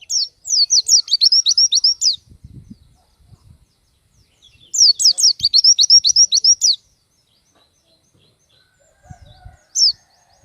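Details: Pleci, the Oriental white-eye, in bold song showing off its phrases as tutor material: two matching bursts of rapid, high, thin whistles, each about two seconds long at roughly four notes per second, with faint low rustling between.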